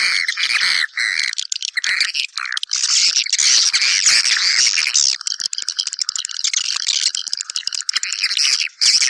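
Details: Chorus of swiftlets summoning others to nest: overlapping shrill chirps and buzzy trills in quick irregular bursts, with brief pauses between volleys.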